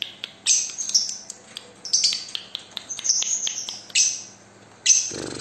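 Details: Balibu lovebird, a single fighter of the paud type, singing a lure song used to draw out other lovebirds: shrill, high chirps and squeaky twittering notes in bursts about every second, over a faint steady hum.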